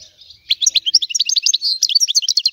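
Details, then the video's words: European goldfinch singing a fast, unbroken twitter of high liquid notes and short buzzy trills, the phrases tumbling together after a brief quiet start. "تغريد الحسون"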